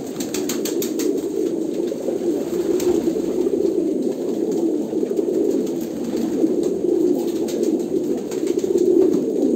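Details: Overlapping low coos from a crowd of Kolkata pigeons, rapid clicks at the start and occasional knocks later.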